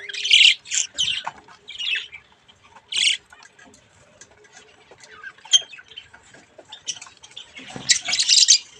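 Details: Budgerigar chicks at play in front of a mirror: short, harsh, high squawks come in separate bursts about a second apart, with a quieter stretch in the middle and a loud rasping cluster at the end.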